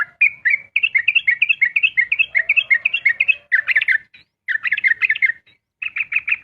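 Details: Sooty-headed bulbul in rapid ropel song at dawn, fast bubbly whistled note pairs tumbling in quick succession, broken by two short pauses before fresh bursts of the same chatter.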